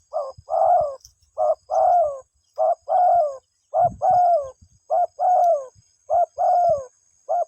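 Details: Spotted dove cooing for its mate in a regular run of about seven phrases, each a short hoot and a longer gently falling coo, evenly spaced about once per second.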